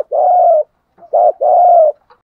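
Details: Decoy spotted dove calling to lure wild doves: low, hollow coos, a long steady hum, a short clipped note, then a second drawn-out coo, all clean against silence.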